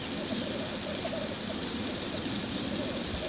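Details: Displaying male black grouse at a lek, a rhythmic low bubbling, gurgling chorus repeated steadily with a faint hiss of background noise.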